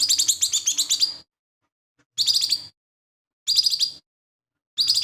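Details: Lesser green leafbird in active song, with a repertoire reported to include imitations of other birds; a long opening stream of rapid, trilled chirps, followed by three shorter bursts spaced about a second and a half apart.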